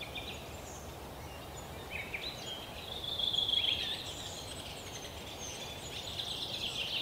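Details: Three-toed woodpecker nestlings in a tree hole give a steady, high, buzzy chatter of rapid begging calls that swells in the middle, over a soft background hiss. Recorded 10 June 2018 in a forest park in Yekaterinburg.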